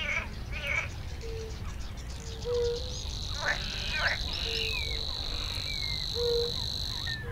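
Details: Savi's warbler singing in a reedbed: a steady, high, insect-like reeling buzz held unbroken for about five seconds, over repeated short low whistled notes and scattered chattering calls from other animals.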